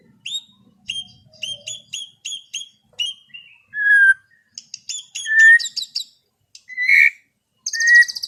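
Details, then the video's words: White-rumped shama in relaxed afternoon 'ngeplong' song: a string of short clear whistles, then a rich downslurred note, buzzy chattering phrases and mellow whistles separated by short silences. "SUARA MURAI BATU NGEPLONG SANTAI SORE HARI"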